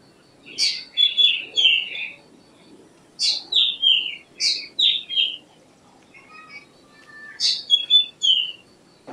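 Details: Black drongo giving three bursts of song: each starts with a harsh, buzzy high note, then slides into two or three short, descending whistled notes, with a pause of about two seconds between phrases.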